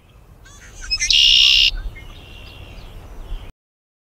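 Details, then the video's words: Red-winged blackbird (Agelaius phoeniceus) of North America giving a loud, harsh buzzy trill lasting about half a second, then a thin, fading high whistle, with a low background rumble throughout. "紅翅黑鸝/Red-winged blackbird"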